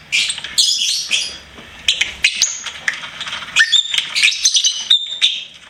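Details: Lovebird kept as a pet, chirping in a busy jumble of high squeaky notes, scratchy trills and a few clear whistled squeaks, delivered in quick uneven bursts.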